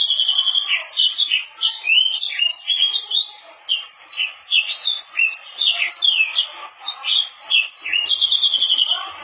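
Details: Continuous song from a Mozambique canary crossed with a canary: rapid, chattering phrases of sweet chirps and rolling trills with one short dip partway through, then the lively warble carries on to the end.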